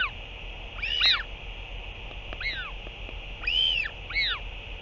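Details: Northern royal albatross at a chick-feeding visit on 8 June 2023 after a parent's return: four loud, arched, nasal calls in two spaced pairs, set against a constant low rumble of background noise.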